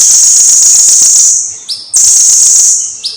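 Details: Blue-crowned hanging parrot in strong song, from a long recording for tutoring birds: two extended, piercing, very high buzzy trills, each ending in a short rising whistle.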